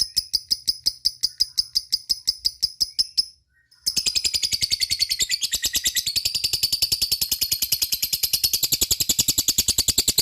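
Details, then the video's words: Lovebird in ngekek style, calling companions: rapid, evenly pulsed high chirps, a brief gap, then a long unbroken run of dense, scratchy, fast-repeated notes. "suara lovebird ngetik ngekek dan memanggil kawan"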